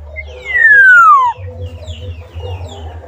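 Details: Black-naped oriole outside its cage giving one loud, clear whistled note that slides smoothly downward over about a second, with a low background hum before and after.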